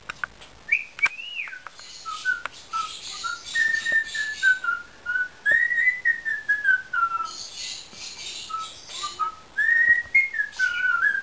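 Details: Pet Indian ringneck parakeet whistling a series of clear tonal notes, some rising then falling and others held and gently sliding, with short pauses between phrases and a steady high-pitched background hiss.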